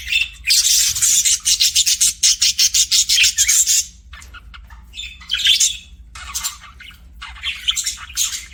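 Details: Pet budgerigar chirping: a fast run of evenly spaced, buzzy high chirps for about four seconds, then quieter scattered warbles and short chirp bursts.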